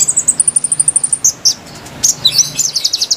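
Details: High-pitched konin song, used for luring wild konin: a fast series of thin, sharp notes, then scattered slurred whistles and chips, ending in a quick, bright trill.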